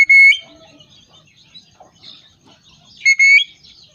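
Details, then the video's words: Pet talking parrot whistling: two loud, pure, ringing whistles, one at the start and another about three seconds later, with faint soft chirps and clicks in between. "Talking PARROT &🐦😍💚 whistling"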